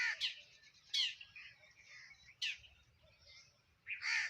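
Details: Eating sparrows call with abrupt, rasping chirps that rise sharply, spaced about a second or more apart, over soft background twittering.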